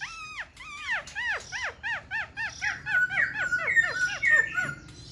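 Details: ['Black-throated laughingthrush kept in a cage, tail fanned and wings flicking, gives a fast series of arched, rising-then-falling whistles, several per second, which shift into flatter steady notes near the end.']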